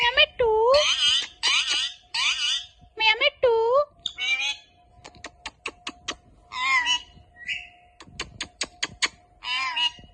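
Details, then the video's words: Pet Indian ringneck parakeet talking, saying "Allah hoo" and other words. Harmonic, speech-like phrases with rising and falling inflections, mixed with sharp clicks and a steady tone, while a woman speaks to the bird. "Talking Parrot Saying Allah Hoo and Many more words"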